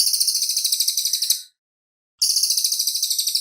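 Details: Cililin bird song recorded clearly for cage-bird training: two bursts of rapid, high-pitched pulsed trilling separated by a short pause.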